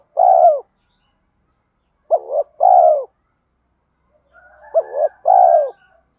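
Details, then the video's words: Spotted dove coo in mixed thổ and thúc voice for training decoys. Low, rounded phrases of short clipped notes and a drawn-out falling coo. A faint higher warble sounds under the last phrase. "Tiếng chim cu gáy giọng thổ pha thúc đấu vấy bổi, dùng tập bổi và tập mồi gáy theo cả ngày"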